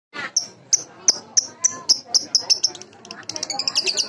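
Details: Baby lovebird sounds used as a lure: a steady series of short, sharp, high chirps about every third of a second, quickening toward the end.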